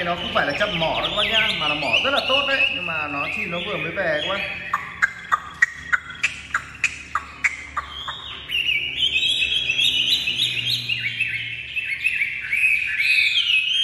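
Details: A newly arrived Chinese hwamei, released indoors, sings a loud, varied run of rich whistles and rapid trills, with a burst of sharp repeated clicks midway; faint speech in the background.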